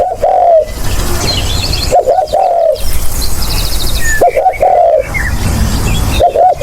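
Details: Spotted dove cooing, recorded for use as a lure: repeated three-part phrases of short stuttered coos ending in a long soft falling coo, with thin chirps of other birds in the background.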